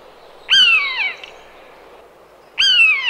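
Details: Two plaintive, down-slurred mewing cries from a common buzzard (Buteo buteo), each roughly half a second long and about two seconds apart, strong and clear against faint background hiss.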